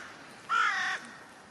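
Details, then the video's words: A thirsty crow gives a single harsh, nasal caw lasting about half a second, with faint background hiss. "Thirsty crows"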